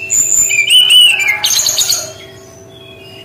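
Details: Unique shooting-style song of a brown-chested jungle flycatcher: a high thin whistle, then a wavering slurred whistle falling slightly, followed by a dense scratchy buzz and fading faint notes.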